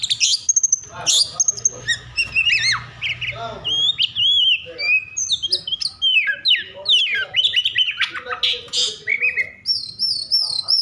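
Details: Agitated Oriental magpie-robin singing to draw other magpie-robins into song: a fast, varied run of sweet whistles, slurred upsweeps and harsher chattering notes, ending with a rapid wavering trill, with faint low rumble early on.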